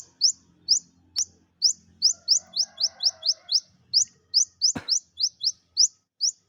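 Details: Kept Olive-backed sunbird, whose song serves to stimulate lazy birds into singing, repeats high rising chips in quick bursts, about twenty in six seconds, with one sharp click and a brief knock midway.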